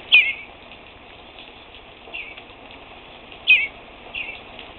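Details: Young fledgling bluebird calling near a screen door. Two loud, thin, high peeps about three seconds apart, each followed by a softer echoing peep, over quiet background hum.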